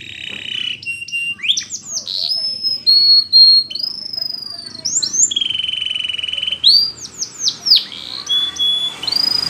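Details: Russian canary in flute-style song for training: long, pure sustained whistled tones at varying pitches, joined by quick slides and brief chirped flourishes, with pauses between phrases.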